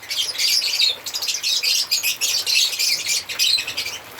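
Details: Pulsing bursts of shrill twittering and squeaks from African lovebirds singing and chirping, rapid notes repeating with barely any pause.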